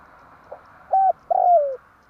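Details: Spotted dove trapping lure in tarik akar style: one phrase of a faint short note, a flat clear coo and a longer coo falling in pitch, over a light hum.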